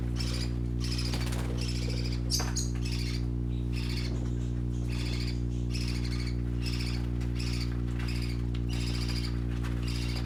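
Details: Young, brightly coloured parakeets keep up fairly regular chirping at about four notes a second while playing, with a loud continuous low hum beneath.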